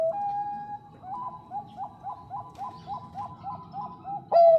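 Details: Zebra dove of the Bangkok type, a female calling to the male: a quiet, steady run of about ten soft, rounded coo notes, ending with one sudden loud clear coo.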